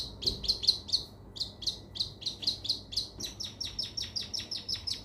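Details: Cendet, the long-tailed shrike, singing in training material meant to make a stalled bird sing again: rapid, evenly spaced high chirps with a brief pause, then continuing as a steady ticking series.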